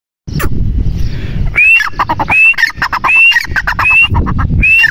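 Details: Grey francolin, given as a female, calling: after a second of low rumbling noise, a rising whistled note followed by a burst of harsh clipped notes repeats roughly every 0.8 seconds, with steady low background rumble.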